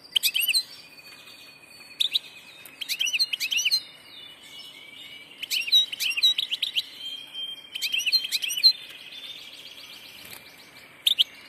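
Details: Song of a European goldfinch hybrid, delivered as repeated clusters of fast, liquid twitters and steep rising chips, interspersed with level tinkling whistles and short buzzy trills, in a quiet setting.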